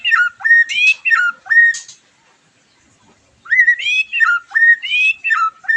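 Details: White-rumped shama, song used to stimulate a bird after moulting; repeated phrases of a dipping note followed by a flat clear whistle, about four per burst, a quiet gap, then the pattern resumes.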